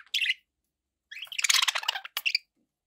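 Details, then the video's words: Budgies giving a short squeaky chirp, then after a pause a busy, harsh burst of overlapping warbled notes and chatter lasting about a second. "1 hour of budgie sounds"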